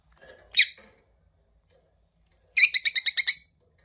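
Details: A pair of lovebirds filmed face to face at close range: one sharp, high chirp, a quiet pause, then a rapid burst of about eight shrill, buzzy chirps in quick succession.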